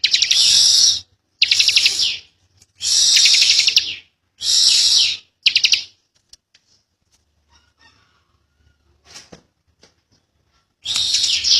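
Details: Young bar-winged prinia giving four loud, high rattling bursts about a second apart, then near silence with faint ticks and a soft flutter, before the trill starts again.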